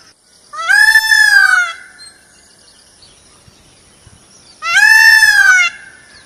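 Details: Indian peafowl giving two loud, drawn-out nasal wails about four seconds apart, each rich in harmonics and gently falling at the end, over a quiet background.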